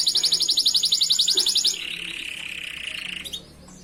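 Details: Canary master song for training other canaries: a rapid, evenly pulsed high trill for almost two seconds, then a long steady lower roll held for over a second before it stops abruptly.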